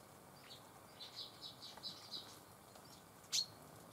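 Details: Red crossbills among bramblings in the Eifel at Dohr, Germany, on 24 October 2015: a run of short, sharp, high chipping notes, roughly four in quick succession, then one louder abrupt call near the end.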